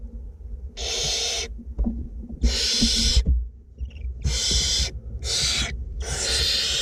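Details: Barn owlets in a north Glasgow nest box, two young being fed, make five rasping snore-like hisses of uneven length, with soft thumps and shuffling clicks between bursts and a low background drone.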